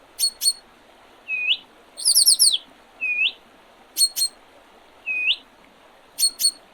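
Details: Spring birdsong on 8 April 2023 along the Oredezh River in Leningrad Region, Russia: paired sharp high ticks, smooth rising whistles and one fast trilled burst, repeating about once a second over steady hiss.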